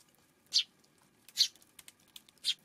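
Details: Three sharp, dry chirps from a Eurasian tree sparrow, roughly one second apart, heard on an afternoon in early June against a quiet, low hum.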